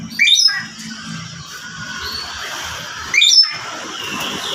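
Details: Javan green magpie from Mount Sawal, West Java, a bird said to be nearly extinct: two short, harsh squawking calls about three seconds apart, each with bright high overtones, over a low steady background rumble.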